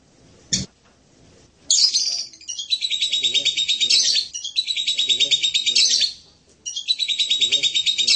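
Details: Serindit voice: a sharp tick, then a shrill squeal leading into long buzzy, pulsing high trills of about one to two seconds, repeated with short breaks.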